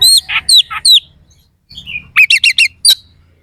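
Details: Oriental magpie-robin delivering coarse fill phrases meant to make rival birds aggressive: a few curved whistles and raspy notes, a brief pause, then a fast string of four sharp upswept notes and a final high whistle.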